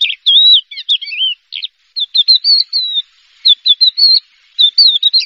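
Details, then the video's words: Horsfield's (Javan) bush lark, a first-prize champion contest bird, singing a fast, varied run of high chirps, slurred whistles and twittering notes in quick bursts with brief pauses. "SUARA BRANJANGAN JUARA 1"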